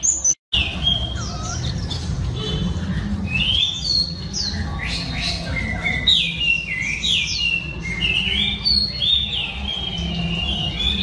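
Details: Female oriental magpie-robin singing to stir male birds: a dense, continuous stream of looping whistles, upward slides and high chips over a steady low rumbling noise.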